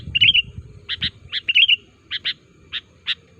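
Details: Lure call of a sooty-headed bulbul meant to make wild bulbuls answer and draw near. Short bubbly phrases alternate with sharp doubled chirps in an uneven rhythm, with low rumbling noise underneath.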